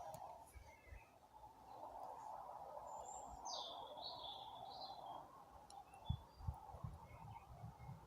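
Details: April birdsong as birds slowly begin singing: one high, swooping warbled phrase in mid-recording, with faint distant chirps around it, a steady mid-pitched hum beneath and a few low knocks near the end.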